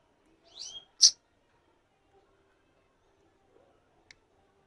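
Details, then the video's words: Fischer's lovebird (Agapornis fischeri) gives a few shrill, high chirps followed by one loud, sharp shriek, then a brief faint click; otherwise quiet. "Bird Lovebird Fischer"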